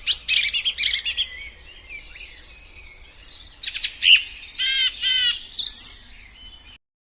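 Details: Song thrush singing: dense bursts of sharp, high chirping phrases at the start, a short pause, then varied whistled and rattling notes, some repeated, ending abruptly.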